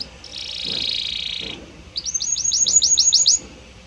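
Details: Belgian canary singing a song of varied notes in a harmonious voice: a high buzzy trill held for over a second, a short pause, then a rapid run of bright chirped notes repeated about three times per second.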